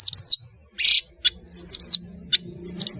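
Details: Melodious long-tailed shrike singing freely, a recording meant to teach young birds; high descending whistled slurs repeat between short scratchy bursts and clicks, with a faint low hum underneath.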